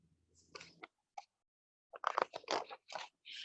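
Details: Scraping and crunching handling sounds with short speech-like bursts and sharp clicks, quiet pauses between them, and no animal calls.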